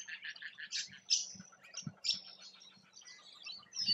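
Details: Rainbow lorikeets feed in Australia. High, rasping squeaks and chirps tumble over one another without pause. Soft low knocks and thumps sound beneath the calls.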